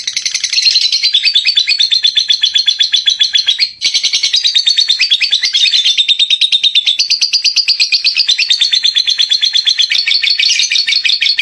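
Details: Lovebird in a lively, sustained run of shrill, fast chattering trills that barely pauses, briefly breaking near the middle before carrying on just as dense and high-pitched.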